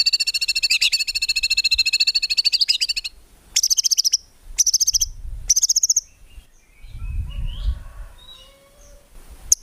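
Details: White-rumped shama (murai batu) song used to tutor songbirds, rich in fill-ins and tembakan shots with no ngukluk: a long rapid rattling trill, then three short high trilled bursts, followed by soft low rumbling and faint scattered notes.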